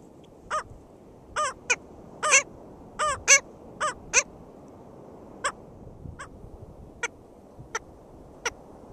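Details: Black skimmers calling at an uncommon nest in St. George State Park, Florida, on 22 June 2013: short nasal barking yaps with stacked harmonics, in irregular bursts about once a second, some quick doubles, over steady low background noise.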